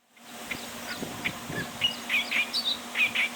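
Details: Clamorous reed warbler recorded in December 2023 at Bhigwan. A string of harsh, chattering notes starts softly and grows louder and quicker toward the end, over a low constant hum.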